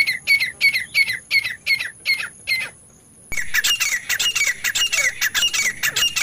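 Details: Francolin hunting call, said to be two partridges calling at once: harsh, squawky notes about three per second in a steady run, then after a short pause a denser, overlapping burst.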